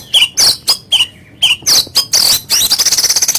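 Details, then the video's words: Oriental magpie-robin (kacer) in rough 'kasaran' style: clipped whistled notes dropping in pitch, alternating with raspy bursts, ending in a rapid buzzing rattle. "Materi Kasaran Burung Kacer Gacor, Bikin Lawan Gembung"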